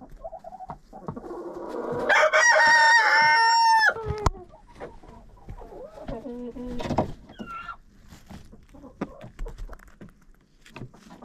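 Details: Chickens inside a friend's coop, recorded with a GoPro: a loud harsh squawk with stacked harmonics builds and breaks off after about two seconds, followed by softer rising and falling clucks and scattered scratching thuds.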